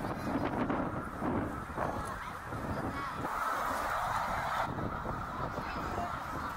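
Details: Snow geese gathered on migration at Middle Creek, Pennsylvania, 2023, an enormous flock; a continuous honking chorus with a brief dip in volume, then individual calls stand out above the mass.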